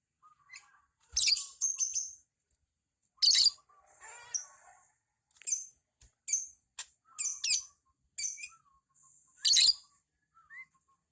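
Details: Lovebird in ngekek style, suitable for beginners, delivering a busy run of raspy high chirps and hissy bursts at uneven intervals, interspersed with small rising squeaks and a soft, faint whistle.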